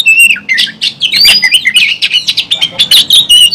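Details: Oriental magpie-robin in an aggressive fighting display, tail fanned, singing a dense, rapid stream of varied whistles, chirps and scratchy squawks, including a long arching whistled note.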